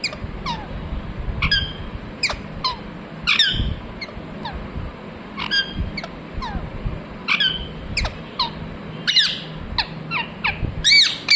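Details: Talking parrot repeating "mithu mithu": an irregular stream of short, sweeping, squeaky syllables, some soft and some loud, continuing throughout over low rumbling background noise.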